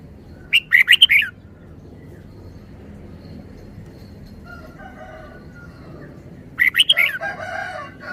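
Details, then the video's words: Red-whiskered bulbul singing two short bubbly, warbled phrases of rapid rising and falling notes, each under a second long and spaced about six seconds apart. Fainter harmonic sounds and low background rumble can be heard between them. "นกกรงหัวจุก จ้าวมาเฮง"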